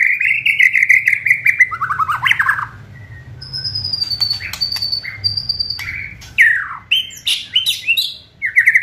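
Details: White-rumped shama singing aggressive kretekan to provoke rivals into faster singing: rich whistled phrases, descending warbles, a high thin repeated note, and harsh chattering bursts in varied sequence.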